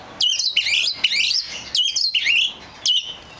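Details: Short, lively phrases from a rare black magpie robin: bright whistles that slide up and down quickly, delivered in bursts with small gaps between them.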